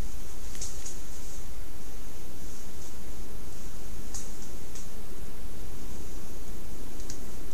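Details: Low rumbling background with a few faint dry ticks and rustles from the camera, and no animal calls.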